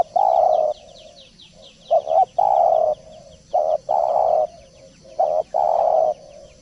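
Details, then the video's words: Spotted dove in full song (gacor) on a tutor recording, giving a series of steady, flat, mid-pitched coos, long notes paired with shorter ones, with faint high chirps behind. "Masteran Derkuku / Tekukur gacor poll"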